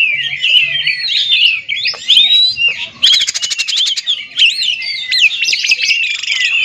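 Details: Loud oriental magpie-robin song meant to prompt other magpie-robins to sing: rapid, varied high whistles, buzzy chatter and a burst of fast repeated notes near the middle.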